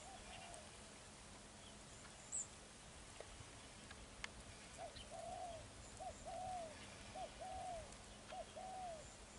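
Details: Spotted dove used as a ground decoy for trapping wild doves, cooing in the style called "thổ gù rước". After about five seconds of quiet hiss, it gives a run of soft, low, rounded coos in short groups, with faint clicks and background noise.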